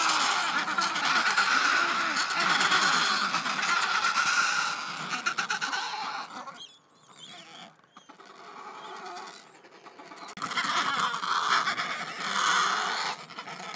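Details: A squabbling Adélie penguin colony on the Yalour Islands, Antarctic Peninsula, below a glacier, gives harsh, rasping, braying calls, loud for several seconds, then a lull before another burst. After chicks were fed and pairs displayed, the fight lasted minutes for no clear reason.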